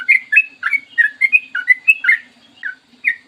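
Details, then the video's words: Yellow-vented bulbul (trucukan) singing a long, clear morning song, used as a lure to get other birds singing: quick chirpy whistled notes that rise and fall, delivered in a rapid run of about a dozen phrases with short gaps. "PANCINGAN TRUCUKAN AGAR BUNYI burung TRUCUKAN GACOR ROPEL PANJANG"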